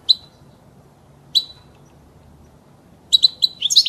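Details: European goldfinch singing, played for teaching fledglings: two lone sharp chirps over a second apart, then a quickening run of chirps building into liquid twittering.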